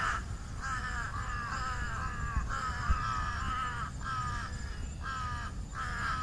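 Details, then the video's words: Crows on treetops at dusk calling in a steady series of hoarse caws, one after another with short gaps, several birds overlapping, over faint low background noise. "សំបុកសត្វក្អែក ជាមួយសំលេង នៅពេលល្ងាច"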